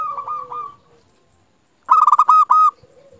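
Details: Zebra dove, a local strain, singing to lure other doves into song: a soft wavering coo fades out, then after a pause a loud stuttering burst of clipped coo notes ends in a steady tone.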